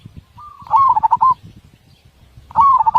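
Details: Zebra dove, known locally as perkutut, kept as a master song bird with a big voice and tightly packed beats: a short soft coo, then a louder rolling phrase of quick repeated notes, repeated after about two seconds over low background rumble.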